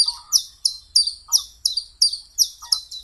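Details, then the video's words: Common chiffchaff, known in German as Zilpzalp or Weidenlaubsänger, singing a steady series of short, high, sweeping notes, about ten in three seconds, with slight alternation in pitch; brief lower chirps from another bird sound underneath. "Der Zilpzalp oder Weidenlaubsänger (Phylloscopus collybita)"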